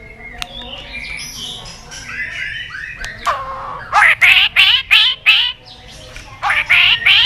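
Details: Lure recording of a white-rumped shama meant to spark singing in other shamas: soft warbled notes build into loud, harsh, buzzy bursts repeated about three per second, then a pause and another rasping run.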